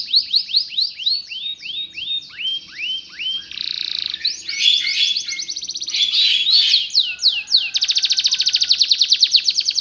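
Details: Canary, Belgian type, singing for learner canaries: slow looping whistles that change into buzzy dense passages and end in a fast, even, rattling trill, with a faint low hum.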